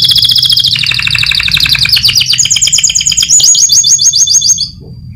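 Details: Canary, a contest winner, singing training song: a sequence of rapid rolling trills, each tour on a different pitch, stepping from lower rattles up to higher fast-repeated notes before stopping.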